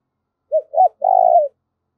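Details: Spotted dove kept as a decoy to call in wild doves. Two brief rounded coos are followed by one long, buzzy, fluttering coo that falls away. Close and clean, with no other sounds.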